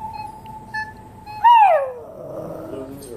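Common loon: a steady, held mellow note, then a loud, brief cry that slides downward, fading into a soft, noisy tail.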